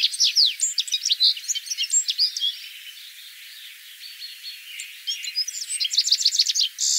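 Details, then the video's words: A Citril finch sings lively high twittering phrases of mixed chirps and slides, dropping to a quiet lull midway, then returning with a fast, ringing trill and buzzy notes. "Verderón Serrano (Carduelis citrinella) Canto"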